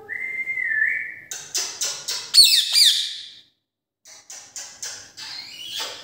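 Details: Rose-ringed parakeet, also called Indian ring-neck: a steady whistled note that steps up slightly, then a run of harsh, rasping screeches, some with rising squeals, a short pause, and more grating calls.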